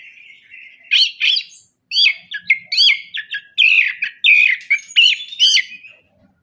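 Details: Orange-headed thrush song used as a lure: loud, repeated slurred chirping notes with sharp rising and falling strokes, delivered in quick varied phrases.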